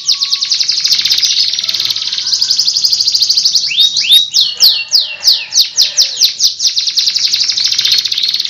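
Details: Continuous canary song used to teach other birds: a long dense high trill, a burst of sharp falling notes in the middle, then the steady rapid trill resumes.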